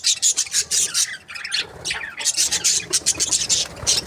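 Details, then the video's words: Several budgerigars from breeding pairs chatter nonstop, a shrill, scratchy stream of high chirps and short squawks pulsing rapidly with barely any gaps. "Amazing budgie chirping sound"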